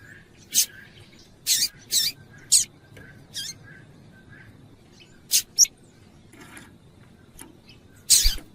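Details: Female Double-collared seedeater calling to stimulate the male to sing: short, sharp, high chirps given singly or in quick pairs, about nine across eight seconds at irregular gaps, over a faint low background hum.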